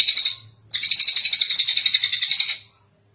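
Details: Kingfisher, known locally as tengek cililin, in a long calling recording kept as tutor material for training other birds. A brief harsh burst is followed by a pause, then a rapid, buzzy, pulsed rattle of about a dozen beats lasting two seconds.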